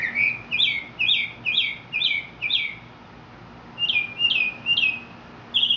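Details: Singing Mexican mockingbird: a burst of rapid, doubled, high whistled notes, a short pause, then a new series of sharp falling phrases.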